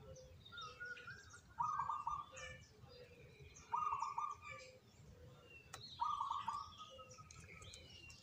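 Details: Three zebra doves chosen as the most eager singers. Three bursts of rapid, pulsed cooing recur about every two seconds, fairly faint, among chirps from other birds and some background noise.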